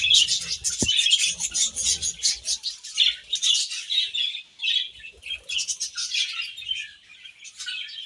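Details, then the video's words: Budgerigars chirping while eating grass: dense, bright chatter of rapid twittering notes that rises and falls in bursts, with short gaps between flurries and a few soft low thumps early on. "Beautiful Budgies Grass Eating Chirping Sounds"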